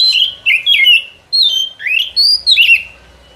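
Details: White-rumped shama song played as a forest trapping lure: a string of loud whistled phrases, some slurred down, one swooping upward, given in quick separated bursts with brief pauses between them.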